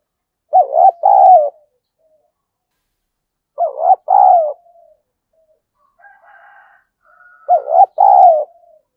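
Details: Spotted dove call used to provoke fighting and stimulate decoy birds: three repeated low cooing phrases about three seconds apart, each a short warbled note followed by a longer trailing coo, with soft faint notes between.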